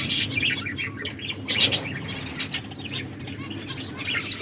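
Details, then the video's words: Finches at their food give scattered high, sharp chirps and short twitter bursts with pauses between, some wing flutter in the background. "Beautiful finches eating food birds chirping sounds"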